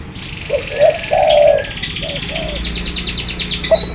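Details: Spotted dove giving a few soft, low coos, one held longer, while another bird's high, rapid, buzzy trill of repeated notes plays loudly across the second half.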